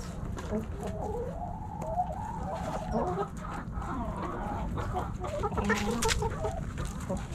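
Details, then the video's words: Backyard chickens, hens and roosters, snacking at Thanksgiving; a busy flock of overlapping murmured clucks and wavering calls, continuous and layered, with pecking clicks and low background hum. "Backyard Chickens Thanksgiving Snacking Sounds Noises Hens Clucking Roosters Crowing!"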